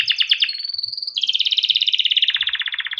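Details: Yellow canary, a cage-raised bird whose song is a tutor for young canaries, runs fast pulsed rolling trills, a thin rising whistle, then a long rapid roll dropping slightly in pitch.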